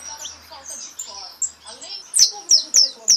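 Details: Pardo goldfinch in repique: soft, muddled high twitter, then four loud, sharp, high downslurred notes spaced about a third of a second apart.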